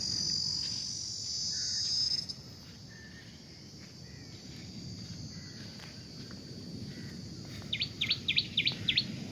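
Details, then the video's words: House sparrow giving a quick run of bright, high chirps near the end, after fainter chirps, over a steady insect buzz and low wind rumble; near sand dunes, a coconut grove and a fishing-village beach, Kanyakumari district, India. "கேக்குதா குருவி சத்தம் கேக்குதா? சிட்டுக்குருவி இது"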